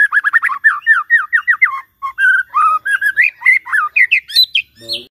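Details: White-rumped shama morning lure: a continuous, fast and varied stream of whistled, warbled and slurred notes, dense and melodious, ending on a higher note.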